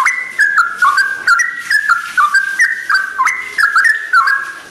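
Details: Dawn song of a sooty-headed bulbul: bubbly, fluty whistles that jump between pitch levels in rapid succession, forming a continuous chattering string of notes.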